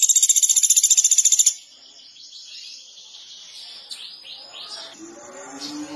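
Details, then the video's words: Pelatuk beras woodpecker, described as gacor, gives a fast, high, dry rattling trill of rapid identical pulses lasting about one and a half seconds. Faint high chirps from other birds follow. "Masteran Pelatuk Beras Gacor Durasi Panjang"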